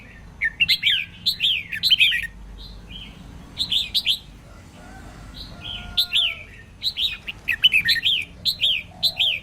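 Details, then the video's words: Female red-whiskered bulbul whose song is used to prompt males to sing: repeated lively warbling phrases of quick up-and-down whistles, with a faint low drawn-out tone during a pause midway. "chào mào mái hót kích trống căng lửa"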